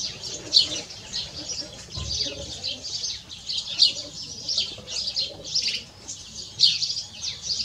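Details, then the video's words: Hybrid canary x goldfinch delivering fast, high chattering phrases with sharp accented chirps roughly every second and a slight low rumble in the background. "Mixto de jilguero (canary x goldfinch ) - هجين الحسون"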